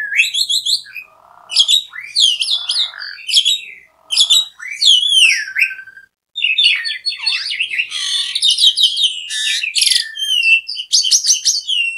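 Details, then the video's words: Asian pied starling song, a lively chattering mix of harmonic whistles, sharp chirps, buzzy rasping notes and harsh squawks in quick varied bursts, with a brief pause near the middle. "JALAK SUREN GACOR RIBUT"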